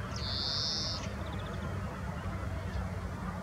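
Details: A European greenfinch calling in Nelson Mandelapark, Amsterdam, on 5 April 2023, gives one long, flat, nasal wheeze lasting almost a second, then a faint quick twitter, over low city traffic rumble.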